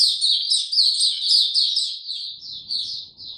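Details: Brief burst of white-eye song, recorded on 29 April 2022: quick, bright, high twittering notes tumbling together, slowing and thinning toward the end, from a bird given no supplements.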